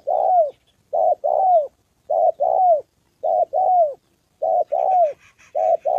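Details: Spotted dove on the 2 September holiday, a decoy facing a wild dove and a female. Evenly paced pairs of coos, a short note and then a longer one with a rising-then-falling curve, with faint chirping near the end.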